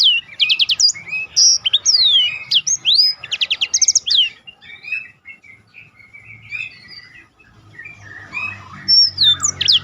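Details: Black-throated canary song as training material for competition birds: rapid trilled bursts and sweeping whistles in the first half, then quieter scattered notes and a final swooping phrase.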